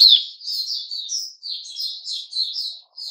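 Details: Sooty-headed bulbul, 10 July 2021, softly warbling a continuous string of short whistled notes that rise and fall slightly, at moderate volume.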